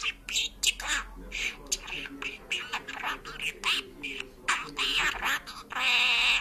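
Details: Parrot imitating Georgian talking and singing: a fast, chattering string of nasal, voice-like syllables, ending in a longer sustained sung tone, with no other sounds.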